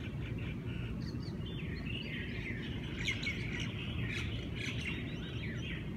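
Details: Several Hawaiian birds calling at once at daybreak in Hawaii, with slurred whistles, chirps and short up-and-down notes overlapping against a heavy low rumble.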